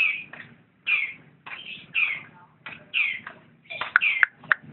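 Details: Lovebird repeating harsh, buzzy chirping notes about once a second, with faint low rustling beneath.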